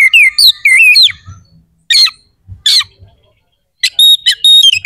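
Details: Oriental magpie-robin singing a harsh, sharp phrase-rich song used to agitate rival birds: down-slurred whistles and rough bursts, then a steady run of repeated level whistled notes.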